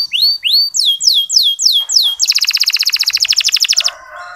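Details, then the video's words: Soft canary chirping meant to encourage male canaries to sing more eagerly: a series of slurred whistles sweeping down, about three per second, followed by a dense rapid trill of short notes lasting nearly two seconds. "Suara Kenari Ngeriwik Halus"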